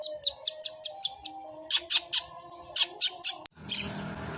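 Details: Long-tailed shrike delivering "gereja" fighting song: a steady series of sharp high chips about four per second, then grouped bursts, ending with a short rustling noise.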